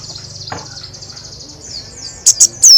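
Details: White-eye roll tembak song, loud with beak open: mostly a thin, steady, high trill held for over two seconds, ending in three sharp, loud chips.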